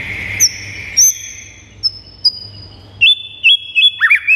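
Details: White-rumped shama song meant to rouse pet birds: sparse high sliding whistles with gaps between, then a run of quick looping whistled notes near the end, over a low hum.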